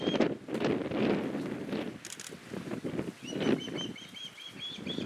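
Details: Recently fledged young osprey begging its father to share his catch while the mother and another fledgling fly nearby; a run of high, thin whistled chirps in the second half over strong rumbling wind.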